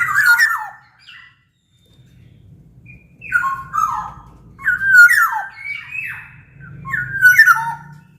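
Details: Sumbawa-origin black-naped oriole singing loudly in captivity as a lure for other orioles: a pause, then clusters of rich whistled notes sliding downward with buzzy overtones, one phrase about every second, with low background hum.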